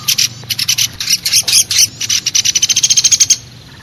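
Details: Woodpecker lure sound of a common flameback: scattered high, harsh bursts that build into a quick, even rattle of sharp notes and end suddenly.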